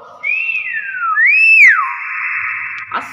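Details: Common hill myna producing a strong whistled phrase: a high note sliding downward, then a bright rising-and-falling arch, ending in a long steady echoing tone with a faint click at the end.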